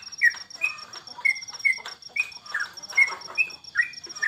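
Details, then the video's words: Yellow-vented bulbul (trucukan) kept at home while bird contests were paused during the Corona period, giving short bubbly mid-pitched chirps about two or three per second, each slightly rising or falling, over a steady thin high ticking tone. "Lomba Burung Libur Beginilah Aksi Trucukan"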